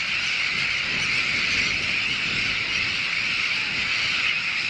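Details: A breeding colony of Sandwich terns (Sterna sandvicensis) on the North Sea island of Texel: a dense, unbroken din of many harsh, grating high calls overlapping into a continuous raucous chorus.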